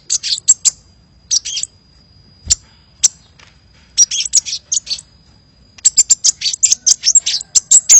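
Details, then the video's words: Kolibri lure recording, bird singing vigorously: bursts of high, thin twittering chirps, pauses with single sharp notes, ending in a long fast chattering series. "Suara Pikat Burung Kolibri Gacor"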